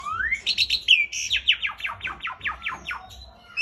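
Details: Caged Asian pied starling in full, lively song, a run of bright, rapidly repeated downslurred whistles sweeping from high to low, about two per second, with clear, loud notes throughout.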